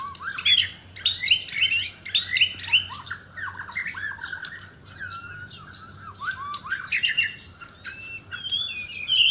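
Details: White-rumped shama from Sabah, Borneo, singing hard in a loud contest while seeking a mate: fast, varied whistles, squawks and chattering bursts packed closely together, with a constant thin high tone behind.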